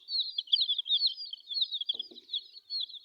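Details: Colourful chicks chirp in quick, shrill, slurred notes almost without a break, with a low knock just after the halfway point.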